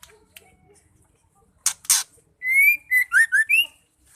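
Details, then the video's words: Calls of a female white-rumped shama, used to provoke males to sing: faint ticks, then two harsh rasps followed by a bright whistled phrase of a long rising note and quick upslurred notes. "Murai betina gacor bikin murai stres nglowo LANGSUNG nyaut bunyi"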